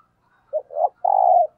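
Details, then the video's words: Single thúc gù phrase from a decoy spotted dove: a brief low coo, a swelling middle coo, then one long even hoarse coo. "Tiếng Chim Cu Gáy Thúc Gù - Chim Cu Mồi"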